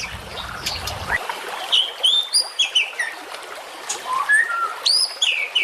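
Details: White-rumped shama song in a masteran recording: scattered high whistles and quick upward and downward slurs, sparse at first and then more varied. A low rumble fades out in the first second.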